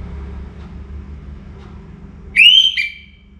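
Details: Orange-headed thrush singing before morning in North Bali: after low background rumble, a short clear whistle rises, then a second brief level note follows, fading into quiet.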